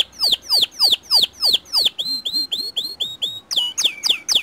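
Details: A white canary's lure song for other canaries, with loud downward-swooping whistles about three per second, then softer rising chirps and bright sharp notes.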